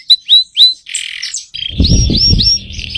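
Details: Young canary song: three clear upswept chirps, a harsh noisy burst, then a run of rising whistled notes over a low rumbling background sound.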